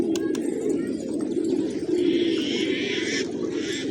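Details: Pigeons feasting on grain in a village at morning, layered deep coos rolling without pause from several birds, plus a hissy higher wash in the second half.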